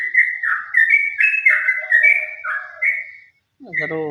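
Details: A sooty-headed bulbul delivers ropel song: a quick chain of rich whistled notes, wavering and overlapping with a softer lower warble, then a short silence and a harsh, buzzy call at the end.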